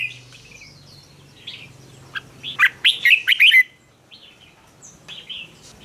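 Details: Red-whiskered bulbul fighting song, used to stir and train birds to sing competitively; quiet scattered notes, then one loud, fast burst of clear, bubbling whistled notes lasting about a second, followed by softer trailing notes.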